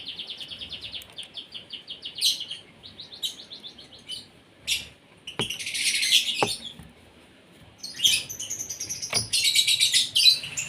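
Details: Asian pied starling at morning feeding time, fed to sing vigorously; a run of quick rhythmic ticking notes opens, then harsh grating bursts and rasping chatter fill the second half.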